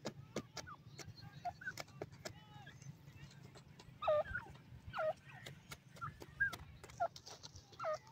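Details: Feeding grey francolin chicks around ten days old give thin, downward-curving peeps, scattered and irregular, louder bursts near the end, over constant sharp clicks and a low background rumble.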